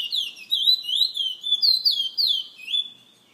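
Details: Caged bullfinch kept by a bird lovers association member in San Fernando, singing a run of clear whistled notes that slide up and down, each linked to the next in a steady warbling phrase with no other sounds.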